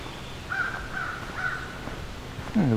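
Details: An American crow gives three short, harsh caws about half a second apart, with a man's voice at the end, on a summer solstice 2024 birding hike by the Beverly Swamp, Flamborough, Ontario, Canada.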